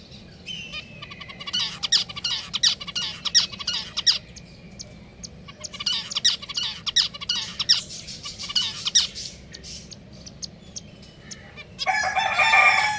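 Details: Pet finches chattering: dense runs of sharp high chirps and buzzy ticks in busy bursts with short pauses, ending in a loud harsh rustling burst, over a faint low hum.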